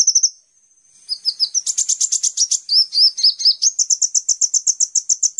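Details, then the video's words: Sunbird song, played as a master recording for training cage songbirds: very high, thin chirps run into a fast twittering trill, then a brisk, evenly pulsed high trill of about four notes a second. No background noise. "Pancingan Konin Full Gacor Tembakan mewah"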